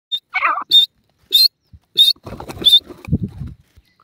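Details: Caged Irani teetar partridges fighting: three sharp, high chipped notes ring out, broken by a burst of rough lower chatter and then a spell of low scuffling and knocking sounds.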